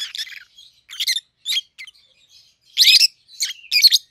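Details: A pair of captive peach-faced lovebirds, 7-8 months old, red-headed green opaline and red-faced dark green, utter scratchy chirps and a loud harsh squawk-like burst near the end, in a small room.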